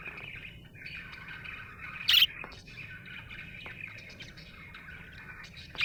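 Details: Steady, even warbling chatter from a happy budgie, with one loud piercing squeak near the middle and another right at the end.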